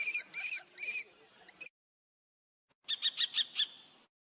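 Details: Common kestrel giving a few ringing, downslurred kee calls, then after a silent gap a faster burst of sharper, clipped notes.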